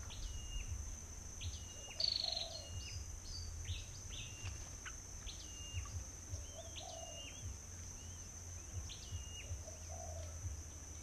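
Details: Sooty-headed bulbuls, arriving in crowds at the start of the season at a bird-trapping site, give short, bright chirps and hooked whistles in irregular bursts over a steady high whine and low rumbling noise.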